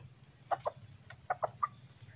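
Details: Young wild red junglefowl confronting a decoy rooster during lure-trapping, giving five short, abrupt clucks in two quick groups, mid-pitched and clipped, over a steady high insect drone.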